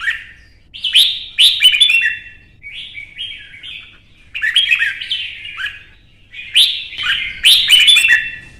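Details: Caged Red-whiskered Bulbul stirred up into a fierce singing contest: short bursts of rich warbled, slurred notes, each phrase dipping and rising, separated by brief pauses, with sharp clicking snaps between phrases.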